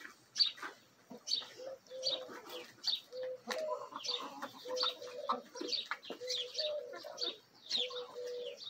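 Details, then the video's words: Feeding hens and a mixed Bielefelder and Golden Cuckoo Marans rooster in a home backyard. Drawn-out, level, tonal clucks repeat through the clip over quick high chirps and occasional pecking taps. "ASMR Bielefeld Marans Rooster & Hens Feeding Frenzy!"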